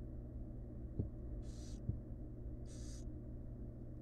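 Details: Wild barn owl mother resting next to her chicks in a monitored nest box; two short, breathy, hissing bursts about a second apart, heard over a steady low electrical hum and a couple of soft thumps.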